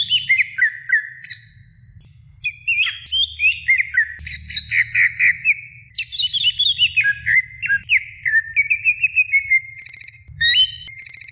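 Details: Female greater green leafbird calling a male: a long varied stream of high whistles, twitters and descending slurred notes, ending in brief rapid buzzy trills, with a soft low hum behind.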